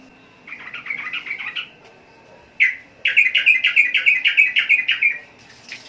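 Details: Sooty-headed bulbul, Indonesian archipelago: a softer run of chirps, then one sharp note followed by a fast, regular series of about fifteen bright, clipped notes.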